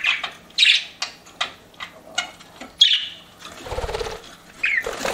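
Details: Pet budgies chirping in a room: sharp isolated chirps and short squawks spaced about a second apart, then a brief rustling flutter and a final rising chirp.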